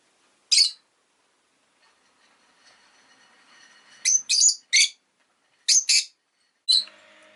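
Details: Rosy-faced lovebird kept as a pet, chirping: a series of short, sharp, high chirps, one alone, then quick pairs and singles over about three seconds, with a faint murmur between them.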